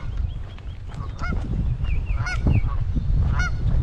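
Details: Canada geese with many goslings at a pond in Michigan, late May 2021, giving short, nasal honks in quick, uneven bursts, several overlapping, over a steady low rumble of wind.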